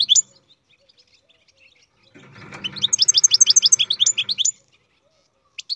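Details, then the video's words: Captive-bred European goldfinch singing: a brief chirp, a quiet gap, then a rapid series of high tinkling, tumbling notes lasting about two seconds before silence and a final chirp. "Καρδερίνα εκτροφής "Αλέξανδρος"(Goldfinch carduelis singing"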